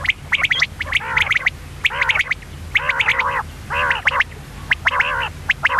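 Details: Calls of a female common quail: groups of nasal, gargling, harmonic notes alternate with thin high clicks, in bursts about once a second, against a faint low hum.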